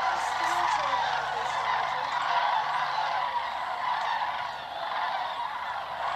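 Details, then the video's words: Large flock of sandhill cranes on southward migration over Georgia and Tennessee, circling low overhead; many birds give rattling, bugling calls at once, forming a steady wall of sound with quick repeated notes throughout. "Sandhill Crane Migration song"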